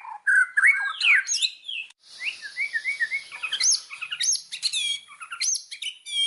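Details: Varied, jumbled song of an Indonesian white-rumped shama used as a lure: quick slurred whistles, chips and rising notes in an irregular, lively sequence, with a short gap near the start.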